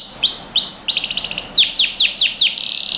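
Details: Canary singing, recorded to train young birds: two arched upslurred whistles, a quick pulsed burst, five sharp downward sweeps, then a sustained buzzy note.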